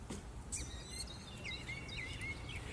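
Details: Northern Mockingbird, a local mimic making its spring debut, sings from a lamppost top in a supermarket parking lot in Sudbury, Massachusetts, around 8:30 am in late March: quick varied whistled and chirpy phrases over a low rumble.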